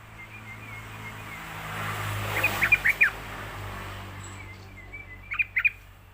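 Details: Yellow-vented bulbul on a lure recording meant to teach young birds: a soft wavering whistle, then two quick bubbly bursts of three or four notes each, set against a steady low hum.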